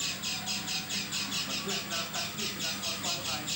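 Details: Oriental white-eye with an odd, atypical voice: a regular train of scratchy, buzzy high squawks about twice a second, steady in loudness, low hum in the background.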